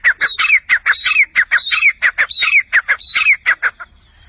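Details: Wild chukar partridge giving a rapid, rhythmic run of harsh chuck-chuck notes, some rising into slurred two-part calls, about four to five notes per second, stopping abruptly.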